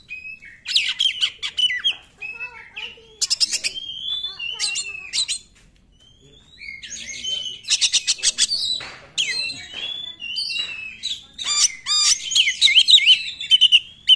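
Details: Magpie-robin song in the 'nembak' manner, played to provoke reluctant singers: dense bursts of crackling notes and twisting whistles, a brief quiet gap near the middle, then energetic varied phrases building again.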